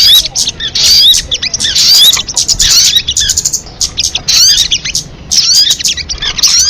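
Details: Sogon, or crested jay, from a lure MP3 track: dry scratchy rattles mixed with sharp high whistled flicks, coming in uneven bursts about once a second over nearly seven seconds.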